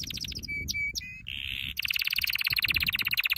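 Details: Canary training song mixing choppy trilled notes, short pure whistles and a brief buzzy tone before breaking into a fast, loud, evenly repeated trill.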